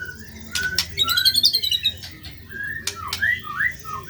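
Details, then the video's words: White-rumped shama (murai batu) singing steadily, with varied rough material: clear whistled slurs and rising notes mixed with harsh squawks and chattering phrases, some overlapping high tinkling notes. "MASTERAN MURAI BATU GACOR MATERI KASAR"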